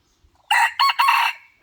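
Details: Loud crow from a decoy rooster: a short rough opening, a brief break, then a long strained note that fades off, with the next crow just starting at the end.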